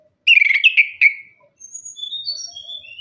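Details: Orange-headed thrush lure song for caged birds that stopped singing after moulting: a loud, slurred, descending whistled phrase in three quick parts, followed by faint high thin whistles.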